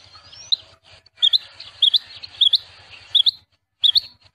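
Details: Rain quail giving its song, a crisp high two-note phrase repeated about every 0.6 seconds, five times, with soft background hiss and low pulsing hum.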